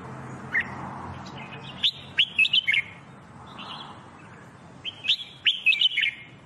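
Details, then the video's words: Jambul bulbul, the red-whiskered bulbul, used for singing training: sharp chirped notes in rapid bursts of four or five, repeated twice, over a steady low hum of background noise. "Red Whikered Bulbul Jambul bulbul SINGING training"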